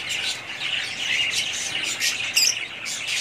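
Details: Several budgerigars of one family keep up a dense, bright twittering warble, unbroken throughout, with a sharper chirp rising above the flock noise partway through.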